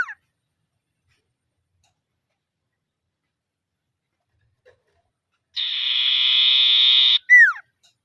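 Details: Common iora calling rivals, 'ngetir' lure for silent birds: after several seconds of quiet, a single long dry high trill about one and a half seconds long, closed by a sharp downward whistle.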